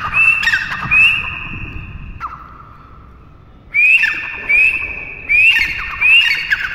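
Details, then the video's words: A pheasant gives loud, harsh, upslurred squawks in quick pairs and bursts, pausing briefly before starting again. "teetar ki awaaz"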